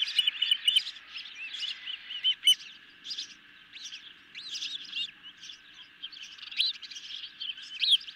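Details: Ospreys at a camera-watched nest at night on 10 July 2021, hungry and taking a medium-sized fish. High chirps overlap in loose bursts. Some are sharp and some rise and fall, with quieter pauses between outbursts.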